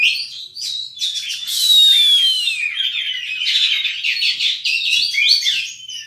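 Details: Oriental magpie-robin (kacer) singing a full mimicry song. A clear whistle glides smoothly down over a second, among overlapping rapid chirps, trills and scratchy notes that flow on without pause.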